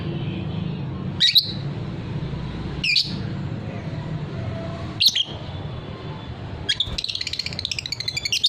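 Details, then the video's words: Lovebird of the fighter type in ngekek song: a few sharp, spaced high chirps about two seconds apart, ending in a quick rattling trill of rapid repeated notes, with a low rumbling background. "suara lovebird paud figter"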